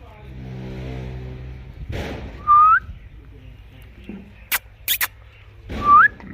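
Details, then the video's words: Indian ringneck parrot kept as a pet, chirping and talking: two brief, bright whistles that sweep upward, a few seconds apart, over a low murmur with sharp clicks between them. "Natural Indian ringneck parrot talking sound/ Green toota mitthu Parrot chirping sound"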